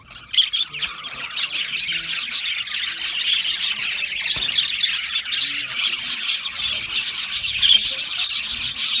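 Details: Aviary budgies chirping as a colony, starting a little quieter then building into dense, shrill twittering and short squawks from numerous birds.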